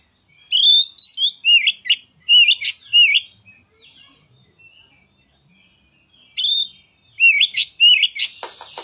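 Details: Oriental magpie-robin song played to stir a reluctant bird into singing: loud whistled phrases with rising and falling slurred notes between 2 and 5k, delivered in bursts with pauses, ending in a brief rustling noise.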